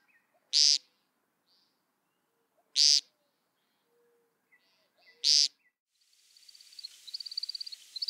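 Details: American woodcock in spring, at its display site: three nasal, buzzy peents about two seconds apart, then the rising, twittering whistle of its wings as the display flight begins.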